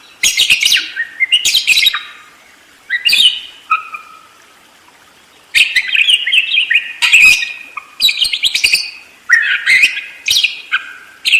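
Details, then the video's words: Budgerigar singing loudly and steadily, a busy, scratchy warble of clicks, squawks and descending whistled slides in bursts of one to two seconds separated by short pauses. "SUARA BURUNG PARKIT ‼️ NGEROL DERES GACOR"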